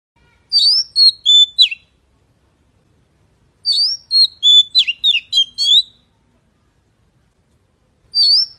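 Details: Magpie calling in clear, sharp whistled phrases of four or five quick notes, falling and rising, given in three separate bursts with silent gaps between them.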